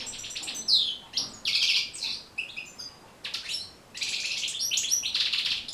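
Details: European goldfinch singing, a recording used to coach goldfinches in song. Bright bursts of twittering include a clear downward slurred whistle and buzzy rattles, separated by short quiet pauses.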